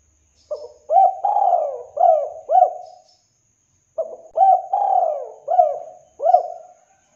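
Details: Spotted dove giving its deep, full coo, used to lure other doves: two phrases of four or five hollow notes, a short note first, then a longer falling coo, spaced about three seconds apart.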